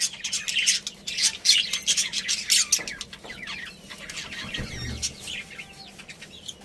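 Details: Budgerigars from a breeding pair chattering in high scratchy chirps, busy at first then thinning to quieter warbles, with a brief low rustle.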